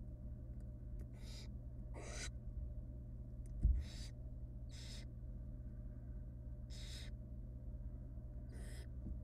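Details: Nestling barn owls in a wild nest box give repeated breathy, rasping food-begging hisses while their mother feeds them rabbit, about six calls over nine seconds with a thump and low hum.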